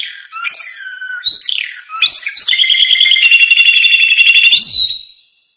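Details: Singing canary used to train canaries: quick changing whistles and swoops lead into a long, loud rolling trill with a rasping edge, finishing on a clear high note and then silence.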